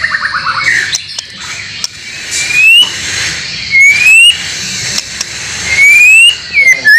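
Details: White-rumped shama training song recorded 30 April 2024, meant to make caged birds sing, with imitated fill material from other birds: loud clear whistles, several sharp rising slurs and a quick descending series, over a steady high hiss.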